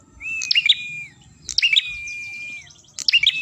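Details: Ashy tailorbird singing, the song used to lure birds. Three phrases, each a crisp cluster of high chips followed by a long, flat whistle that falls slightly at the end.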